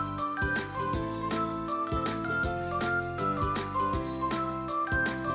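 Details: Cheerful children's music with jingling bells and bright tinkling tones over a steady beat.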